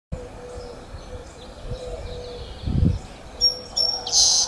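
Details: Song Sparrow singing on a walk along Aptos Creek: faint, thin high notes, then a brighter buzzy trill and sharp notes near the end, over a steady low rush of running creek water.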